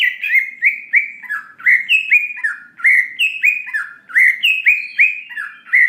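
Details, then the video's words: Greater green leafbird song used to provoke a response: steady stream of clear, looping whistled notes, each sharply slurred, delivered in quick succession. "Pancingan Cucak Ijo Bahan Agar Cepat Emosi Respon Bunyi Gacor Nembak Isian"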